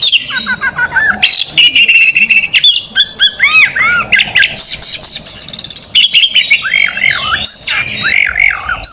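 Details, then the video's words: Champion contest magpie robin giving its 'tembakan' style of song, a dense stream of sharp whistles, harsh buzzy bursts and quick looping up-and-down notes, delivered loudly and nearly continuously. "Burung kacer juara nasional, tolak barter dengan sepeda motor || Suara tembakan nya pedas gurih."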